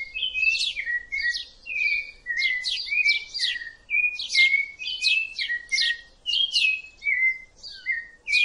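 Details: Rufous-bellied thrush singing a steady, unbroken run of short whistled notes that slide downward, mixed with buzzy, scratchy high flourishes. The phrases follow one another almost without pause for the whole stretch.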